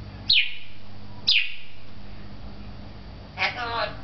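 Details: Talking African grey parrot at a pet shop in Beit Hanina, Palestine: two sharp high squeaks sliding downward, one second apart, then a short buzzy, harmonic-rich note, with low hum in the room.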